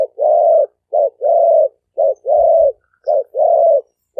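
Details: Spotted dove male calling to attract females: evenly paced pairs of a brief coo and a long level coo, repeating about once a second, with a faint low thump midway.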